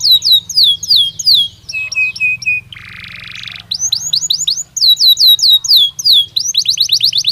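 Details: Belgian canary in natural song: bursts of sharp descending whistled notes, a brief flat chirp series, a dense buzzy rattle, then more rapid falling whistles in quick groups.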